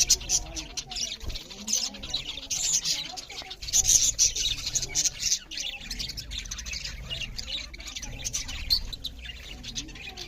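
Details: A group of budgerigars keeps up loud, steady chirping while eating, an unbroken stream of high, rapid twitters and scratchy chatter with a few clicks.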